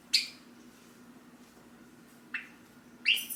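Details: Hand-tame pet Java sparrow in its cage, call-chirping as its owner gets up to leave: three sharp, bright chip notes spread over three seconds, with quiet room hum between them.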